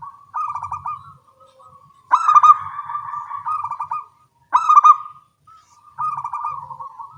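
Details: Zebra doves of a local type with small voices sing back and forth early in the day: repeated loud stuttering trills that tail into smooth coos, with about twenty-five phrases a minute and clear pauses between them.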